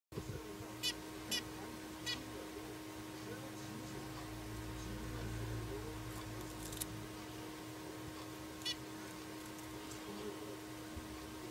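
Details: Zebra finch (Taeniopygia guttata) pet birds, recorded 29 January 2012, giving short, scattered, nasal beeping calls over a steady low hum.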